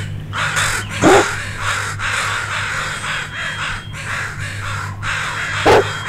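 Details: Crows in alarm over a dog wandering near two young crows just learning to fly; a steady series of coarse caws in uneven rhythm, with two brief loud thumps and a low rumbling background.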